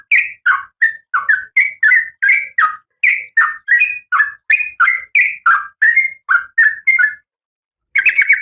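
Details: Female oriental magpie-robin in breeding condition calling the male: a steady series of short, harsh, buzzy notes, about three per second, a brief pause near the end, then a fresh rapid burst.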